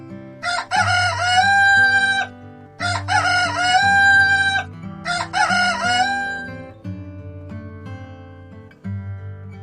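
Three loud rooster crows, each a rising, drawn-out cock-a-doodle-doo about two seconds apart, over light plucked-guitar background music.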